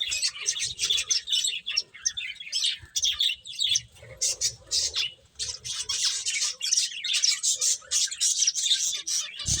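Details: Finches at their food make a lively flock chatter of sharp high chirps and squeaky notes, coming in rapid uneven bursts across the whole stretch.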